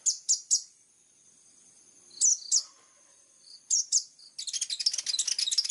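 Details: Plain-throated sunbird (kolibri ninja) singing actively in the sharp, rapid 'tembakan' style with a clear voice: three high chips, pauses, more paired sharp notes, then a dense buzzy chatter of rapid high notes at the end.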